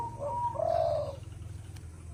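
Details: Zebra dove with a big voice, recorded as a training track for other songbirds. It gives a short clear whistled note, then a lower, burry, warbling coo lasting about half a second. Low steady hum in the background.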